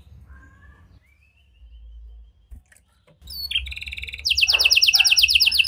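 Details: Canary song used to prompt silent canaries to respond: faint thin whistles and scattered soft notes at first, then a loud, fast, buzzy high trill in the final seconds.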